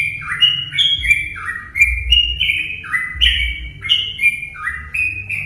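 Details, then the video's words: Lure song of a sooty-headed bulbul, meant to set other bulbuls singing: clear, fluty two-part phrases that dip then rise, repeated quickly over faint low hum. "pancingan burung trucuk"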